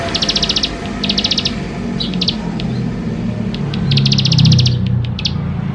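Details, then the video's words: Bar-winged prinia in vigorous song, played to draw young prinias into singing: two quick high buzzy trills, then broken fragments and a longer trill near the end, while a low droning hum swells in the background. "Ciblek Sawah Gacor Full Isian Mewah || Untuk Pancingan Ciblek Sawah Muda Agar Cepat Bunyi"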